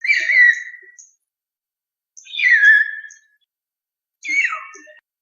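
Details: Common hill myna giving three loud whistled calls spaced about two seconds apart. Each call slides downward from a high, bright note into a lower, fuller tone, and the background is quiet between calls.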